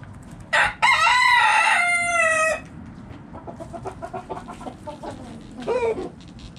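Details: Backyard rooster crowing in a coop as hens eat: a sharp opening note then a loud two-second crow falling slightly at the end, followed by rapid soft hen clucking.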